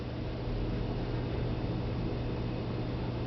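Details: Constant broadband noise over a low electrical hum continues throughout, and no animal voices are present.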